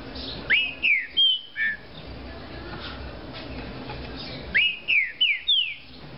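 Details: Green-winged saltator in a cage repeats its song twice: each phrase has four loud, clear whistled notes sliding downward in quick succession, with a few seconds of hiss between.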